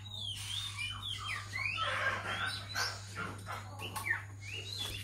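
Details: Female Oriental magpie-robin kept as a trap decoy at home, giving sweeping whistled phrases that glide up and down, mixed with quick chirps, over a constant low droning hum.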